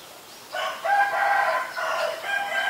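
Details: Green-billed malkoha delivering a quick series of loud, harsh, nasal notes run together over about two seconds after a short quiet lead-in.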